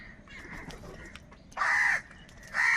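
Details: Crows fighting for food give two loud, harsh, rasping caws about a second apart over fainter cawing from more distant birds of a large flock.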